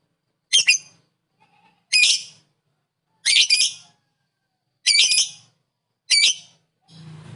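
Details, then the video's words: Lovebird calling to provoke other lovebirds: five harsh, high squawking bursts spaced a second or more apart, with a low hum at the end. "Lovebird ngekek bikin lovebird kamu darah tingi"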